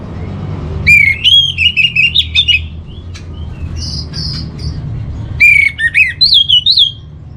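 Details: Orange-headed thrush training song for calming emotion and breeding urge in home birds: two bright phrases of rapid clipped whistles repeated several times, separated by high sweet notes and a quieter pause, with low rumble beneath.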